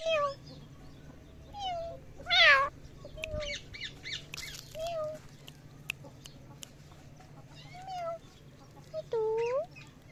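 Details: Parrot making a variety of noises: scattered tonal whistled notes, some rising and falling, a loud harmonic squawk near two seconds, clicks and sharp ticks, and a rising whistle near the end, over a low steady hum.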